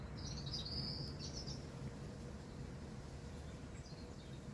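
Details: A robin singing in a spring garden at Hidcote: one high, thin, sparkling warbled phrase lasting about a second and a half, then a few faint high notes near the end, over a steady low rumble of background noise.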